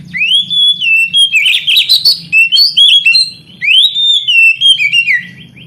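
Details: Loud kacer, or oriental magpie-robin, song meant to set lazy young canaries singing: bright whistled phrases rising and falling, a buzzy burst near the middle, then repeated slurred whistles, with a faint low hum.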